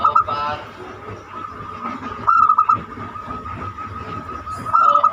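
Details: Banyumili-style zebra dove (perkutut) song used to lure other birds into singing. Brief bursts of quick pulsed coo notes come about two seconds apart, over a low steady hum.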